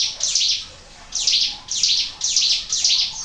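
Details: Ciblek gunung, a Sunda warbler, singing in a lure recording: a short high chirp cluster, a brief pause, then four quick bright bursts of sharp twittering notes in close succession.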